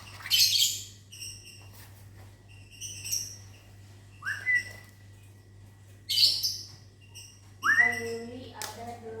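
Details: Caged lovebird in a small aviary in the morning, answering a person's whistling: harsh, high, buzzy shrieks at roughly three-second intervals, alternating with the person's clear rising and level whistles and a steady low hum.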